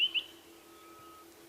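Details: At sunrise on 5 September 2016 in northeastern South Africa, a White-browed Scrub Robin sings: two quick, high whistled notes in the first fifth of a second, then a faint trailing whistle, over a steady low hum.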